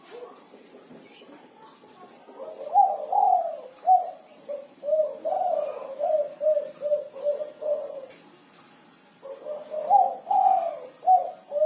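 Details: Kuku 6 style song of a spotted dove singing actively: after a quiet opening, a steady series of deep, throaty coos rises and falls, breaks off briefly, then a fresh phrase of rolling coo notes begins.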